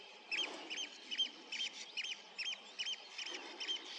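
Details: Eurasian oystercatcher flying over a river, voice carrying from afar, 27 June 2023; a regular series of sharp piping notes, slightly uneven in loudness.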